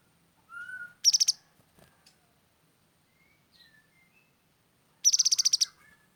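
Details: Grey-headed canary-flycatcher in lively, sharp-voiced song: a short whistled note followed by a fast, piercing high trill, a few soft faint notes, then a second rapid trill about four seconds later.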